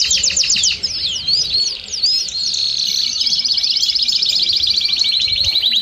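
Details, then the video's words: Belgian canary, kept with common canaries, singing sharp downward-slurred chips that run into a long, fast, rattling trill at a steady high pitch. "Canários do Reino e Belgas - Canary Belga"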